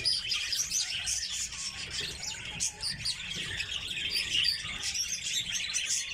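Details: Kept red crossbills, a group of birds, produce busy high twittering with short chips and a few brief rising whistled notes standing out, the chorus dipping briefly before picking up again.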